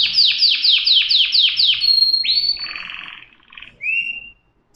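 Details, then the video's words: A canary sings a fast series of seven descending sweeping notes, then a long high whistle, a dense buzzy rattle, and a final short rising whistle before silence. "صدای قناری"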